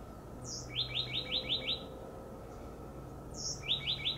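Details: Oak titmouse calling noisily from a high perch gives a thin high note, then a quick run of five or six rough, down-slurred notes, twice. A steady low hum runs underneath.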